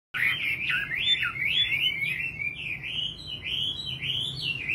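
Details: Nightingale singing a continuous, fluid warble of wavy, sliding whistled notes that rise and fall without a break.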